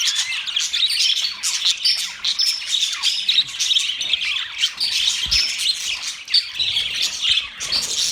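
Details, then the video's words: Budgies in a group giving constant high chirping and warbling chatter, overlapping buzzy twitters and short squeaks with no pauses, forming a busy bright chorus. "Budgies sounds"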